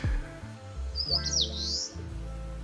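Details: An Eastern Crowned Warbler, heard on a mild, fine-weather walk in Kita-Harima, Hyogo, gives one high, quick phrase of thin notes ending in a buzzy, rising slur, likened to "tsuru-chiyo-gimi"; soft music beneath.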